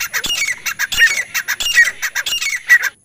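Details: ['Francolin call for luring birds during hunting: rapid, overlapping harsh squawks, several each second, loud and continuous throughout.']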